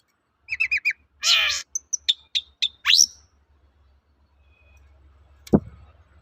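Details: Long-tailed shrike in full song, used as a lure audio to provoke other shrikes into answering: quick trilled chirps, a harsh rasping burst, then sharp high whistled notes and a rising squeal, ending in near silence with one loud click.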